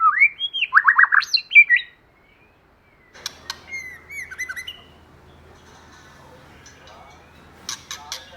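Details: White-rumped shama, used as a lure, giving a loud rapid burst of rich warbled whistles, then a quieter stretch of soft whistles, clicks and rustling.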